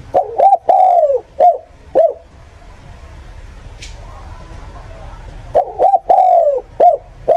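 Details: Decoy recording of a spotted dove for trapping birds: mellow low coo phrases of short hooted notes around a drawn-out sagging coo, then a quiet stretch with a faint click before the pattern returns.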